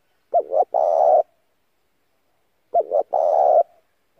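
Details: Lure call of a decoy spotted dove, also played for daily voice practice: two phrases, each with two quick rising coos then one long, steady, throaty coo.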